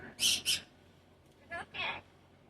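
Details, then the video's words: Pet cockatoo chatting indoors with its owner: two loud, harsh, high squawks in quick succession, then two softer raspy calls about a second later, with faint household hum beneath. "Chatting with Hero the cockatoo"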